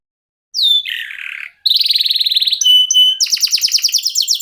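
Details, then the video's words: Kenari lokal singing nonstop to stimulate other birds: after brief silence a downslurred whistle, a rough buzzy phrase, a fast rolling trill, a steady whistled note and a rapid repeated rattle. "KENARI LOKAL GACOR TOTAL, SEMUA IKUTAN BUNYI..PANCINGAN AMPUH BIKIN CEPAT GACOR"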